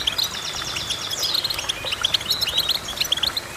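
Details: Clear goldfinch song: a fast run of high, tinkling chirps and buzzy trilled notes, repeated in tight clusters with little pause, bright and musical against a soft background hiss.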